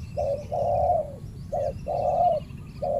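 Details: Male spotted dove defending its banana plantation territory against a decoy during trapping gives close, loud coos: short notes alternating with long even ones.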